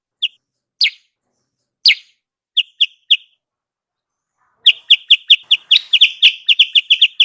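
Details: Sooty-headed bulbul lure call used in Indonesia to draw wild birds down to a trap; short, bright chirps spaced irregularly at first, then a rapid, excited run of repeated chirps in the second half, clean with no background noise.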